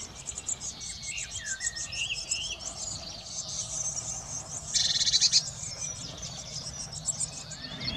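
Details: Eurasian blue tits at a nest box in a garden during brood care: rapid thin high chirps throughout, a few lower short whistles early on, and a brief loud burst of harsh sound midway.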